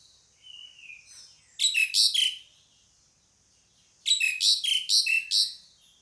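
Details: Pied myna giving a soft descending whistle, then two grating, buzzy call bursts about two seconds apart. The second burst is longer, with five or six harsh notes and squeaky downslurred endings.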